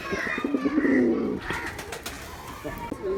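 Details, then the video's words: Male pigeon giving one deep, pulsing coo lasting about a second, followed by quieter mixed sounds and a faint voice-like murmur. "Pigeon sounds attract pigeons || Male pigeon Sound"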